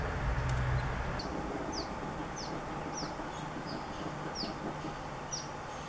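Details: Black phoebe in California, where it is a common, vocal year-round visitor, giving faint, sharp downslurred high chips repeated roughly every half second against a soft background hiss.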